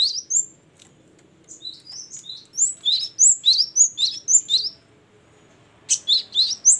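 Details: Great tit, called gelatik batu, singing in the loud, open, nonstop ngeplong and gacor style: bright high whistled notes in quick runs, a pause of about a second, then another rapid burst near the end.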